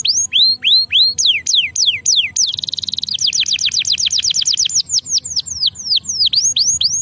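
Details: Canary singing to stimulate lazy canaries: rising and falling whistled notes, a brief rapid buzzing trill, then a long run of quick descending notes and V-shaped whistles repeated steadily.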